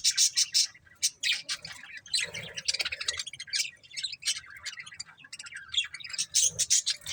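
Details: Pet budgerigars, a breeding pair, chattering continuously with dense scratchy chirps, warbles and high clicking notes, barely pausing throughout.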